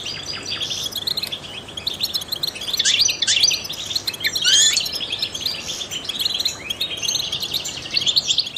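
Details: A trained, distinguished European goldfinch sings in a professional style meant to stimulate other songbirds: a dense, rapid twittering of high tinkling notes, with bursts of sharp rising and falling slurs in the middle.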